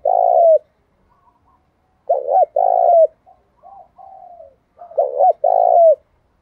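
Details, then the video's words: Decoy spotted dove cooing to provoke and lure wild doves: three loud, low, hollow two-part coo phrases spaced about two to three seconds apart, with softer, quieter cooing notes between them. "Cu gáy Thúc Gù kích bổi nhanh nổi"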